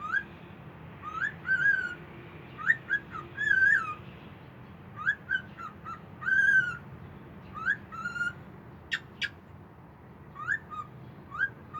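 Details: A pet cockatiel singing on a balcony: a string of short whistled phrases, rising and falling, repeated every second or so.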